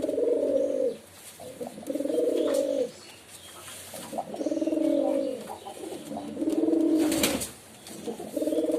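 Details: Repeated deep, warbling coos from a pigeon, four long rolling phrases spaced by brief silences, with a sharp knock or clap near the end.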